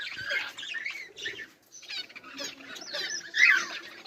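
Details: Budgerigars give scratchy, warbling chatter broken by brief pauses, with one louder squeaky burst near the end.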